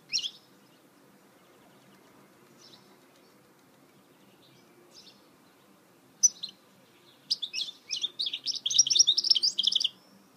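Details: Goldfinch mule: scattered faint chirps at first, then an energetic outburst of fast, high, tumbling twitters and trills building in loudness over the last three seconds.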